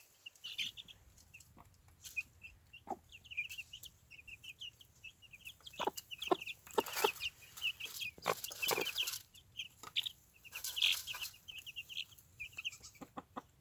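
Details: Easter Egger chicks outdoors in a chicken tractor on a yard lawn, with their adoptive momma hen, sounding happy. Continuous high peeping runs throughout, mixed with louder bursts of rustling and scratching noise in the middle.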